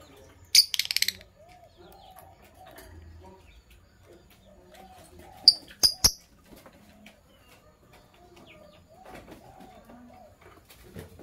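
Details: A green Fischer's lovebird pair in the morning gives two sharp, high, rapid chirp bursts, one early and one midway, with low murmuring background sounds between them.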